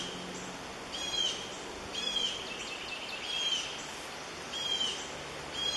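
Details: In the nest, two red-shouldered hawk chicks beg as their parent delivers prey: high, thin, slightly drooping whistles repeated about every second, irregularly spaced, over a hissing natural background.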